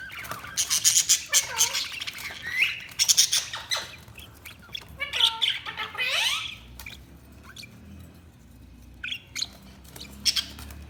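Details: Budgerigars giving dense, chattering warbles: harsh squawky bursts mixed with rising and falling chirps, loudest in the first half, then fading to scattered short calls over a quiet low hum.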